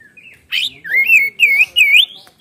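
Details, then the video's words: Oriental magpie-robin, locally kacer, in loud 'gacor ngeplong' singing with 'isian' fillings: a buzzy burst, then three rolling, wavering whistles that swoop up and down in quick succession. "Kacer Gacor Ngeplong Full Isian Suara pedas"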